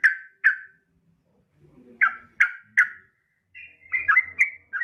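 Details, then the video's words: Yellow-vented bulbul, a female calling a male, used as a lure call: sharp separate chip notes, then a quick jumbled run of chirps and warbles toward the end, with a faint low hum. "pancingan trucukan BETINA MEMANGGIL JANTAN"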